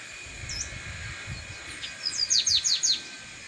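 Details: Chestnut-capped blackbird in nature, a faint looping note followed by a quick run of sharp, high, descending chirps, with a steady hum and light background noise.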